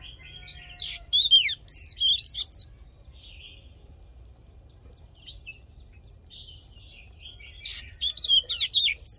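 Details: Oriental magpie-robin fighting song for rousing a male and training its voice: bursts of sharp, steeply sweeping whistles, several seconds of near quiet with faint soft notes, then another rapid burst.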